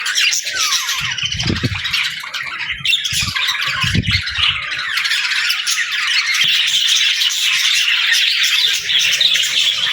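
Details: Budgerigars squawking and warbling in a dense, rising chorus of harsh calls and quick chirps, with a few low thuds in the first half.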